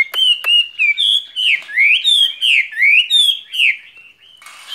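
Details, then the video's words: Caged skylark in spring: two sharp clicks, then a series of bright whistled notes about a third of a second apart, each swooping upward, before the song trails off. "Chim quý ở lồng son ca bản tình ca mùa xuân"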